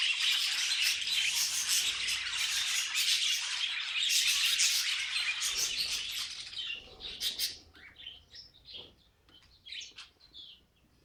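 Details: Several pet budgies sing in a dense, high chattering warble for about seven seconds, then it thins to scattered separate chirps and short squeaky notes with quiet gaps between them.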